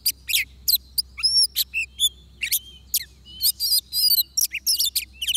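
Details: Fighting song of an oriental magpie-robin at a trapping site in Vietnam: a continuous run of varied high whistles, slurred rising and falling notes and rapid buzzy chirps with brief gaps, very busy throughout, over a faint steady low hum.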